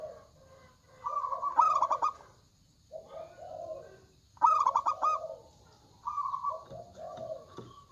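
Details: Zebra doves with big voices, males and females answering one another: two loud stuttering coo bursts about three seconds apart, framed by steady purring coos from other birds at lower pitch.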